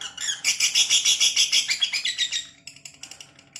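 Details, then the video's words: Lovebird's ngekek chattering: a rapid burst of harsh, high-pitched chirps that runs strongly for about two seconds, then fades into softer, broken twitters. "lovebird ngekek panjang"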